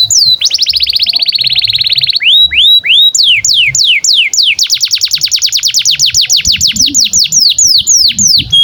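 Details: Canary in long continuous song, offered as tutor audio for young canaries and birds that have stopped singing: a steady buzzy trill opens, a few slurred whistles follow, then a long rapid roll of high descending notes.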